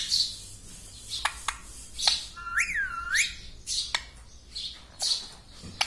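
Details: Pet ring-necked parrot indoors, a talking bird known for saying mummy and papa; one clear whistled phrase dipping and rising in the middle, set among faint sharp chirps and clicks.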